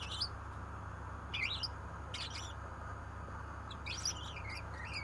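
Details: Gouldian finch singing: short, thin, high chirping and buzzy phrases at about 0.2, 1.5, 2.2 and 4 seconds, separated by pauses, over a steady low electrical hum.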